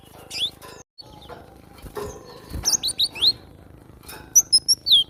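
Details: Training recording of a cinereous tit (glatik batu) for cage birds: a noisy, muffled opening with faint calls, then a string of sharp descending whistles and bright, high piping notes.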